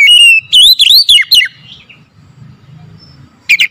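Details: Morning song of an oriental magpie-robin, a sustained clear whistle running into quick looping notes that sweep up and down, then a pause and the start of another loud whistled phrase.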